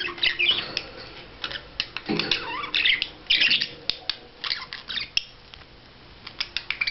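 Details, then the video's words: Courting budgerigar producing a stream of scratchy warbles, squeaks and clicking notes, with a short lower nasal sound partway through. "Perruche Ondulée Parade Amoureuse"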